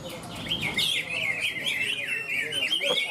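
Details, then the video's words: Greater green leafbird competing in a bird-singing contest at the Ronggolawe event in Malinau, North Kalimantan: an unbroken stream of rapid, high twittering warbles and chattering trills, with murmuring voices and crowd noise underneath. "Cucak Ijo"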